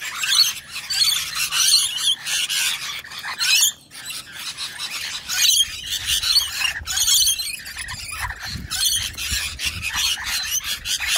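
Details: A pair of rainbow lorikeets asserting dominance and showing everyone who's boss, giving harsh, grating screeches in rapid overlapping bursts with short gaps between outbursts.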